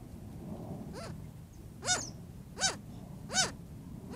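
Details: An adolescent Cooper's hawk at a desert watering hole near Tucson, Arizona, in hot weather, complains to its mother, apparently to be fed, with harsh, arched squealing cries about every three-quarters of a second, rising then falling, over a low rumble.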